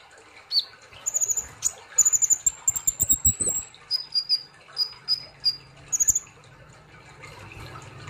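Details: Caged sunbird, known locally as kolibri Ninja or konin, singing in lively trained-bird style: a series of high, thin whistled and chirped notes, some sharp and rapid, others short repeated squeaks, with clicking and rustling below.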